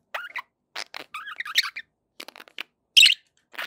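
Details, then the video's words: Happy pet budgerigars chattering in quick, separate bursts of warbled, squeaky notes with small pitch wiggles, ending in a louder harsh squawk near the close. "happy budgie sounds"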